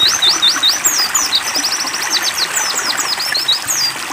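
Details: Oriental white-eye singing during water bathing therapy: fast, continuous high twittering of thin sliding notes, several per second in a busy chattering stream, over a steady hiss of water.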